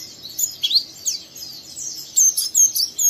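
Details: Oriental white-eye, young and in strong voice, twittering to provoke a second bird; irregular high slurred chirps, a few sharper notes near the end.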